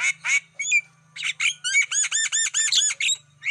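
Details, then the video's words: Black-winged starling lure sound for wild birds: a few harsh squawks, then a run of about eight loud arched chirps repeated nearly evenly, over a faint low hum. "Masteran Suara pancingan burung jalak kebo"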